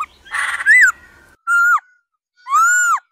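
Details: Laughingthrush female sounding 'ro ro' to spur males into song: a rough burst, then two separate drawn-out whistles that rise and fall, about a second apart.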